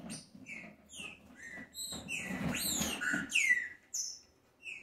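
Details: Green-winged saltator (Saltator similis) song: short, clear whistled notes, many slurring downward, in quick overlapping bursts over a low background rumble.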